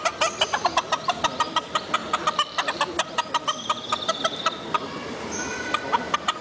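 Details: Small feather-footed chickens at the Biosphere in Potsdam, with a rapid train of short, sharp clucks repeating steadily several times a second, while thin high whistles from other birds sound in the background.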